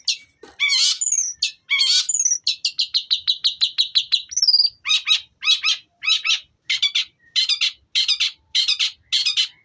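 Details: Long-tailed shrike singing a long Tengkek Buto style song: varied high chirps, then a fast run of evenly repeated sharp notes, a brief whistled slur, and sets of paired harsh notes at regular intervals.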